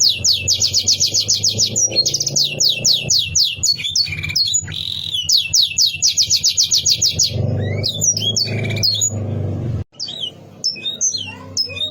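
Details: Canary singing to stir up rivals, opening with long rapid buzzy trills of repeated high notes, then scattered sharp whistled chirps and slurred notes with short gaps toward the end.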